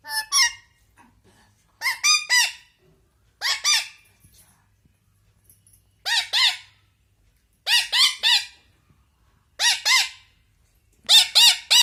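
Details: Indian ringneck parrot, a household pet, scolding in anger: repeated groups of coarse, arched squawks, two or three at a time, spaced every one to two seconds.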